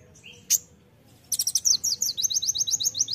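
An olive-backed sunbird gives a sharp chip, then a fast, high, thin trill of clipped notes, about five per second.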